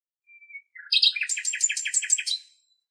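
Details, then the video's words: Nightingale song from Greek countryside: a soft thin whistle and low notes open, then a fast rhythmic rattle of about ten repeated double notes, nothing else audible. "Αηδόνι Κελάηδημα - Nightingale singing"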